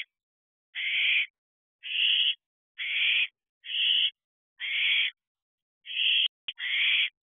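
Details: Owlets at a nest box at 3:22 am, 29 June 2023, giving a steady series of harsh breathy screeches, roughly one per second, with a brief click near the end.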